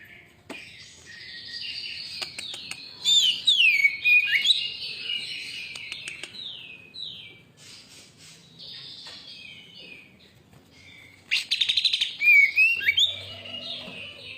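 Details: Greater green leafbird singing in a lure recording to provoke other birds: varied high warbles and twisting whistles in two loud bursts, separated by quieter rambling twitters.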